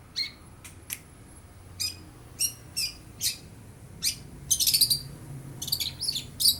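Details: Young long-tailed shrike, bill not yet fully black, mimicking lovebird and house sparrow calls: sharp high chirps and chips in irregular bursts, building to dense squeaky clusters near the end; faint low hum beneath.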